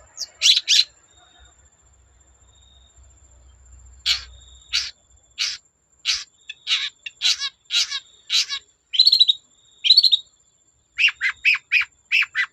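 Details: Long-tailed shrike in song, aimed at provoking other shrikes to sing. After a short pause, a string of sharp high notes builds into a quick series of clipped chirps.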